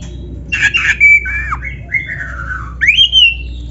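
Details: Black-breasted magpie-robin (kacer dada hitam) singing with canary-style fills: a few buzzy notes, then long sliding whistles that drift downward before a rising, sustained whistle at the end; faint low hum beneath.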